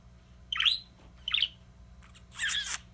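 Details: Pet parakeet imitating the words "kiss kiss big kiss": two clipped, whistled syllables followed by a breathy, hissing burst, high-pitched and mechanical, against a low room hum.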